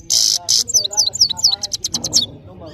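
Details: Powerful song of a European goldfinch (saira) from Parachinar: two harsh buzzy notes open the phrase, followed by a quick series of bright, high, descending tweets that fade out.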